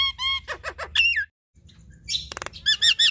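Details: Javan myna pair, male and female, in a duet: quick whistled notes and harsh downslurred squawks, a brief pause, then buzzy rattling and bright looping whistles.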